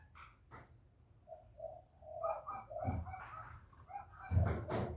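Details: Loud-voiced spotted dove, cu gáy, used to stir newly kept doves into calling. Low hollow coos run in a short phrase through the middle, with scattered knocks and thumps around them.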